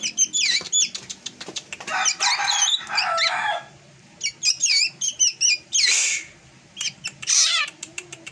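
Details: Unusual drongo song, different from its normal singing: a mix of sharp whistles, harsh chattering bursts and looping slurred notes, delivered in irregular phrases with soft clicks and thumps behind.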